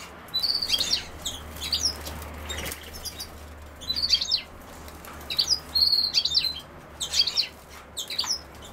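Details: European goldfinch with common sowthistle singing short, high, sparkling twitter phrases roughly every second or so, each a cluster of rapid chirps and slurs, over a low faint hum.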